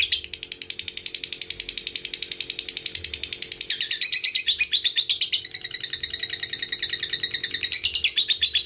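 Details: Ngekek trill of a lovebird, used as a lure for young, fighter and female lovebirds: a fast, dense chatter that grows louder and coarser after about four seconds and keeps going unbroken, over a faint steady hum.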